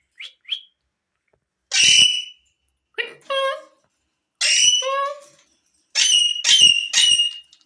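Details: Indian green rose-ringed parakeet kept as a talking pet, giving short speech-like utterances in separate bursts, some harsh and buzzy, others with clear tonal vowels, about five phrases with pauses between them in a quiet indoor setting.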